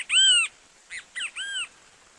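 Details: A Brazilian great kiskadee ends one phrase with a long arched whistled note, then delivers a quieter three-note phrase of two short notes and a sustained falling-rising note; clean background.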